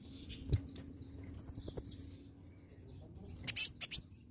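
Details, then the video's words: Olive-backed sunbird (kolibri ninja) lure recording to provoke a reply: a quick even run of about eight high ringing notes, followed by a loud burst of sharp piercing chips, over a low hum. "kolibri ninja (konin) ijoan gacor pancingan ampuh konin bahan langsung nyautt"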